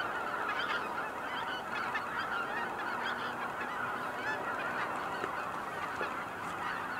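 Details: A large gathering of cackling geese at Kejonuma calls nonstop, with shrill overlapping honks forming a dense wall of sound and a faint low tone passing briefly midway.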